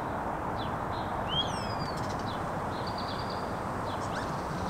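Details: Common starlings, a trio, singing faint slurred whistles and a short buzzy rattle over a steady low background rumble.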